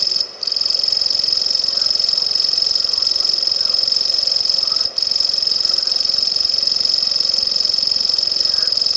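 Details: Grasshopper warbler, genus Locustella, delivering a long monotonous reel, a thin, fast, mechanical trill held at constant pitch with two short gaps, faint other bird notes beneath.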